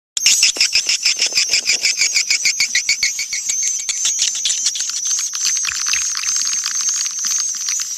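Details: Swiftlets from Kampar, Riau, in a high-quality recording of calling and roosting sounds used to attract swiftlets. A dense chatter of many birds: rapid clicks and twittering chirps pulse about twice per second, loudest at the start, then a steady high buzz.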